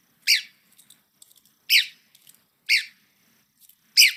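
Red-cockaded Woodpecker giving four harsh, raspy, high-pitched churring calls about a second apart, with faint softer chips in between.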